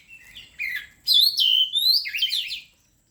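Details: Oriental magpie-robin song used as a lure: a soft whistled note, then a loud run of warbled, twisting phrases lasting nearly two seconds before falling silent.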